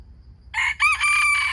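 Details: Wild chicken crow beginning with a short rough syllable, then after a gap a strong sustained note with rich harmonics that holds level to the end. Quiet low rumble underneath.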